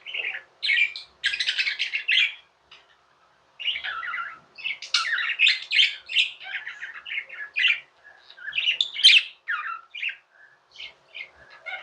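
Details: Tame budgies give a rapid stream of high, squawky chirps and buzzy chatter, sharp notes packed closely with a short silent gap near the third second, calling indoors.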